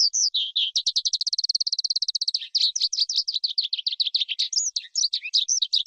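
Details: Forest skylark kept as a cage bird in Vietnam, used to lure wild birds or train young birds; a fast high song of repeated rapid notes, a long even trill, then varied chirps and warbled phrases without pause.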